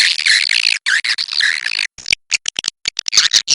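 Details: Swiftlet roosting sound: a run of grating, buzzy twitters that breaks off into a string of fast staccato clicks.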